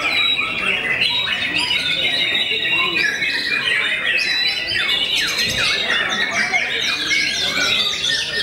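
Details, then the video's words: White-rumped shama, known for a song that makes rival birds lose heart, pours out a nonstop, rapid medley of sweeping, slurred and whistled notes, with bright rising and falling phrases running without pause. "MURAI YANG TERKENAL BIKIN NGLOWO BANYAK MUSUHNYA"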